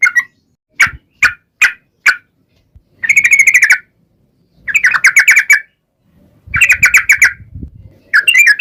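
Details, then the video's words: Yellow-vented Bulbul (trucukan) song meant as a lure for other trucukan: four separate sharp chirps, then three bursts of fast chattering trilled notes, each lasting under a second, with faint low rumbling underneath. "KICAU SUARA trucukan gacor ropel panjang pancingan trucukan agar bunyi MENJADIKAN trucuk gacor NYAUT"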